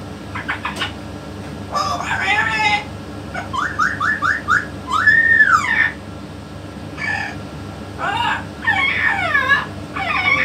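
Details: Yellow-naped amazon parrot, a pet kept with a parrot expert, vocalizing: bursts of harmonic, speech-like sounds, a quick run of four short rising whistled notes, then a loud drawn-out arching whistle, with more chattering syllables after pauses.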